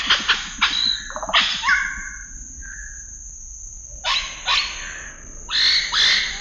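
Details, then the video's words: Scarlet-rumped cacique calling: harsh, broadband bursts and short falling notes, followed by a few brief whistled tones, with a steady high-pitched background hiss. "The sound of a scarlet-rumped cacique"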